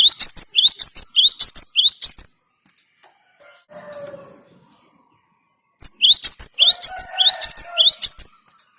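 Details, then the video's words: Cinereous tit singing a lure song: fast series of loud, upslurred whistled notes repeated several times a second. The series breaks off briefly, with faint lower warbling in the pause, then resumes. "Suara Gelatik Batu ini Ampuh buat Pikat"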